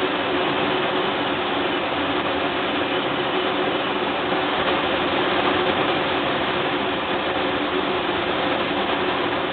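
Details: A loud, unbroken roar of broadband noise resembling engines or machinery runs throughout, with no animal voice.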